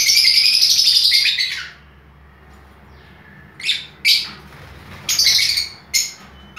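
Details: Aviary lovebirds of several color mutations, among them albino, blue, violet and lutino birds: a long, continuous, piercing high chatter for nearly two seconds, then a few separate sharp shrieks after a short quiet gap.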